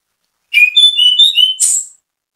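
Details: Orange-headed thrush singing vigorously, a bait song meant to make other orange-headed thrushes sing along: a quick chain of clear, whistled notes shifting between pitches, ending in a high, hissy flourish, with no other sounds.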